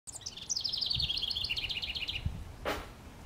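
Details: House wren singing from a treetop in northwest Regina, Saskatchewan, Canada, on May 25, 2015: a rapid, bubbling cascade of high notes that steps downward over about two seconds, followed by a brief noisy burst.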